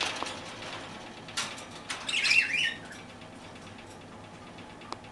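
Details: Pet parakeets eating toast, with a brief bright chirping call near the middle amid soft clicking, rustling and feeding noises against a steady low background hum.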